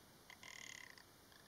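A rock ptarmigan gives a brief, dry, rapidly pulsed rattle lasting under a second, with a fainter echo of it shortly after. The background is otherwise quiet.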